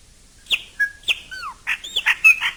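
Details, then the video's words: Chopi blackbird in nature giving sharp, separate whistled notes, some sliding downward, then a short burst of rich, buzzy, warbling notes. "CANTO DO PÁSSARO PRETO CHOPIM NA NATUREZA"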